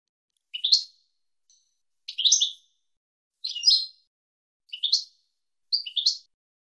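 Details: Goldfinch tutoring recording, 2022 season, for teaching a young goldfinch its song: five short, bright, upward-sweeping twittered notes, each about half a second, spaced roughly every one and a half seconds in silence.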